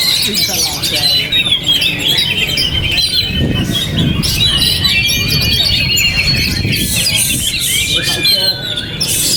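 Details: Owned Oriental magpie-robin still singing in strong wind. Sustained high whistled phrases, some long and slurring, blend with quick chatter as gusts of wind rumble and surge below.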